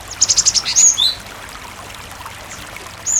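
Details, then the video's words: Cinereous tit song meant to draw other tits into singing; a quick run of about six high chirps followed by two slurred whistles, then a quiet pause and one more note, over soft water noise. "Masteran suara Burung Gelatik Batu gacor sangat ampuh pancingan gelatik berkicau"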